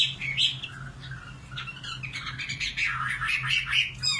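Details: Nightingale giving short, varied scratchy and chirped phrases, somewhat quieter, with a steady low hum underneath.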